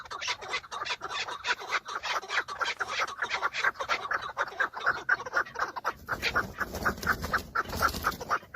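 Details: Breeding-season chukar partridges, several males fighting and showing off for females, taken from a vehicle: steady runs of harsh chuck notes, about two series a second, with low rumbling noise entering after six seconds.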